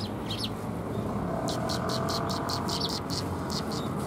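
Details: Sparrows gathering to be fed at a Tenmangu shrine, 27 February 2021; after a few early chirps, a fast regular series of sharp high chirps runs on, masked partly by continuous low vehicle noise.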